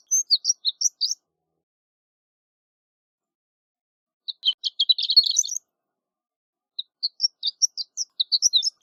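A horned lark sings three bursts of high, tinkling notes, the middle one a quick jangling run, with silent pauses between and no other sounds.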